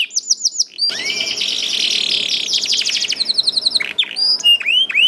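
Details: Young canary song used as a lure for other canaries: brief whistled notes, then a dense rolling buzzy trill lasting several seconds, ending in sharp sweeping whistles.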